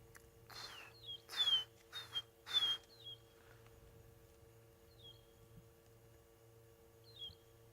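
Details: At sunset on 23 August 2016 in Sabi Sand, South Africa, a distant magpie shrike gives short, clear whistled notes that slur downward, repeated at uneven intervals.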